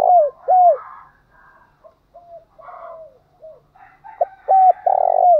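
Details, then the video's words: Spotted dove cooing to provoke a wild bird into singing: paired short hollow coos open, then faint murmuring notes, then a louder run of clipped coos ending in one long sustained coo. "Chim cu gáy kích bổi nhanh nổi"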